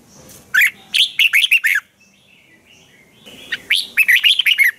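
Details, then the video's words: Thai red-whiskered bulbul giving a spirited training song: two phrases of five or six quick, bright whistled notes each, separated by a soft twittering pause of about a second and a half. "นกกรงหัวจุก | เจ้ากวนอู เสียงร้องริก คึกจัด คมชัด ครบเครื่อง เสียงฝึกร้อง"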